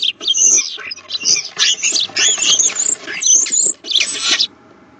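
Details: Common starlings, two birds at a nest box: a dense, nearly unbroken stream of squeals, thin rising whistles and scratchy, wheezy chatter lasting over four seconds, with soft rustling beneath.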